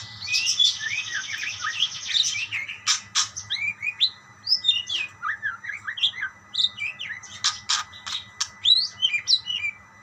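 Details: Budgerigars answering each other: a long buzzy warble at first, then scattered high chirps, sharp clicks and twittering notes, loud and rhythmic with short gaps over ten seconds.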